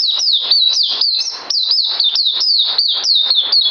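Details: White-eye singing, recorded 9 December 2018: a rapid, steady chain of high whistled notes, each rising sharply then dropping in a hooked slur, repeated about four times a second without pause.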